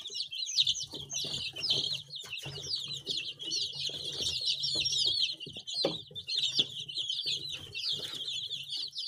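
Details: A crowd of baby chicks peeping together makes a dense, continuous chorus of high overlapping chirps, with low thumps and rustling underneath.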